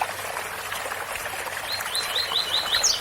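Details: Rusty-collared seedeater 'tui tui' song over rushing waterfall noise: five rising whistled notes in quick succession, with a higher sharp note starting as the clip ends.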